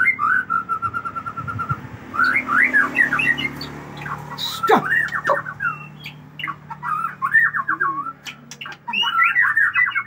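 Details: White-rumped shama from Aceh showing off a very long, varied song: a flat rapid trill, then jumbled twittering phrases and repeated chattering note groups, with a sharp click midway.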